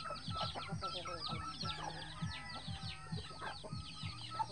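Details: Free-range native hen with eleven baby chicks following her. Quick, short low clucks sound about once a second beneath a crowded chorus of thin, descending chick peeps.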